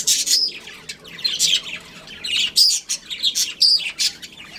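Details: Home-kept breeding pair of budgerigars chattering: loud, harsh high chirps in quick clusters mixed with short whistled squeaks, about one burst per second.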